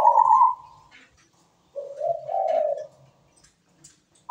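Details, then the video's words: Melodious zebra dove song: a mellow, slightly rising coo, a short silence, then a longer rolling, trilled cooing phrase, with little background noise. "MEWAH PERKUTUT GACOR SUARA MERDU"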